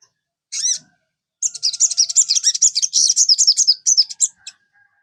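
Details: Kept sogon songbird singing to prompt other caged birds to sing: a single high chirp, then a fast, rapid, very high trill of buzzy twittering notes lasting about three seconds.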